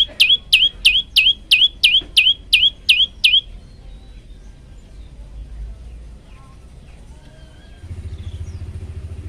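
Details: Olive-backed tailorbird repeating nine sharp, high, slurred chips at about three per second, then falling silent. Faint background noise and a low hum follow.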